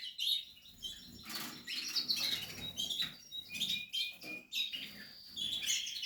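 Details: Portuguese harlequin canary around its nest during breeding, mixing short chirps and brief trilled phrases with frequent rustling and bumping sounds from movement.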